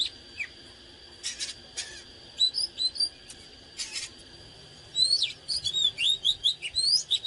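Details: Oriental magpie-robin song in the 'căng lửa' style. A few scattered whistles and sharp clicking noises come first, then from midway a lively burst of rising and falling whistled notes in quick succession.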